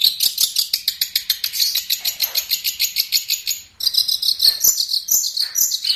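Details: Long-tailed shrike song used as a master recording for training birds: rapid, evenly spaced high sharp notes repeated about four times a second, then a switch to a denser, varied chattering phrase.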